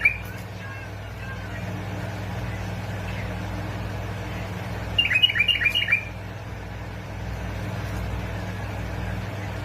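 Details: One brisk phrase of bright, tumbling notes from a bulbul of Basra and Fao, heard after a quiet stretch; meant to stir bulbuls into singing, a continuous low hum fills the background.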